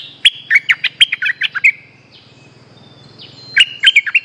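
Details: Bright chattering phrase of a streak-eared bulbul, played to lure back an escaped caged bird: roughly ten quick, clear chirps in a second and a half, a pause, then the phrase starting again; low hum in the background.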